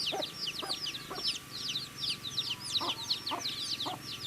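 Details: Cute baby chicks feeding, their shrill peeps tumbling over one another almost without pause, with clicking pecks at intervals of about half a second and a soft constant hum underneath.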